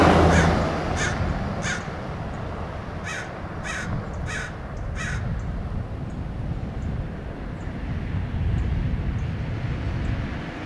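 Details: American crows mob and dive-bomb a Red-tailed Hawk perched by a roadside in Del Monte Forest, California, giving harsh, hoarse caws in quick bursts of two or three, fading after five seconds over a low wind or traffic rumble.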